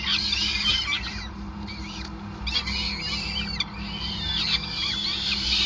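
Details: Nest of peregrine falcons in Groningen, feeding time on 5 May 2020: insistent screechy calls with wavering pitch come in clustered bursts, steady hum below.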